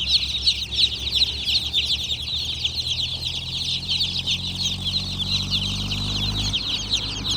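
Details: Many baby chickens give a constant high chirping, with quick descending peeps packed closely together over a low droning background.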